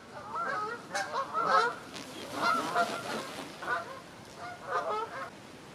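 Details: A flock of over 100 Canada geese in a stubble field in Wiltshire, UK, October 2019, walking toward pools of water. Strong, repeated honks come in clustered bursts about once a second, several birds calling together.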